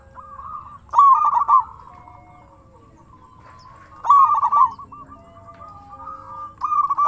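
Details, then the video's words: Zebra dove of local stock singing to draw replies from other doves, a bright trilled coo followed by a drawn-out level purr, phrases roughly three seconds apart, more doves faintly answering in the background. "Suara burung perkutut sangat istimewa 100% auto nyaut"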